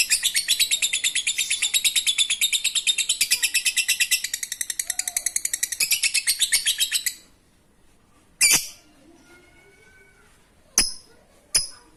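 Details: Lovebird giving a fine ngekek chatter, used to prompt lazy lovebirds to sing: about seven seconds of rapid, harsh, high chirps in an unbroken run, then near silence broken by a few isolated sharp notes.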